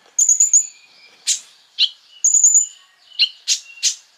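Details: Crimson sunbird (kolibri ninja) singing energetically as a lure to agitate other sunbirds: high thin trilled phrases alternate with sharp downward-swept chips and a long thin whistle, in bursts about every second.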